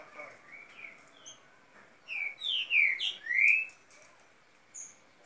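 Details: Young Green-winged Saltators, seven months old, singing face to face. Soft whistles at the start lead to a loud run of four or five rich, slurred whistled notes, rising and falling, close together in mid-clip, then a short high note.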